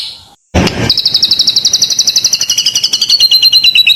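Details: A white-rumped shama, in a nonstop full 'isian' performance used to lure birds at home, gives a fast, even, buzzy high trill of about three notes a second that holds steady and then drifts slightly lower, after a brief cut.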